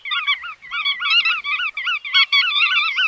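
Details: Bar-tailed godwits give an unbroken stream of nasal, wavering, overlapping calls, a lively flock babble with a couple of sharper accented notes near the end.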